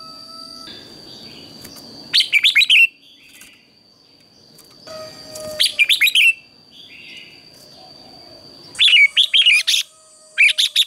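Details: A red-whiskered bulbul sings a morning competition song for training, three loud bursts of rapid, rolling whistled notes spaced several seconds apart, over a faint constant tone and soft background hum.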